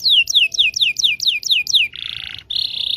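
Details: Canary singing a long song meant to teach young canaries: crisp high notes sweeping downward, about three a second, then a harsh buzzing trill that breaks briefly and resumes.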